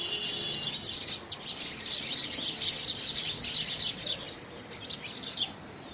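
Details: A group of house sparrows fights over a nest box in early February 2017. Rapid, crowded high chirps, several a second, swell and fade in waves.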